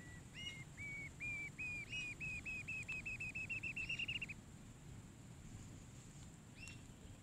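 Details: Rufous-tailed jacamar at its nest hole with chicks: a series of clear, high whistled notes that speed up into a rapid trill over about four seconds, then stop, with a low rumbling background.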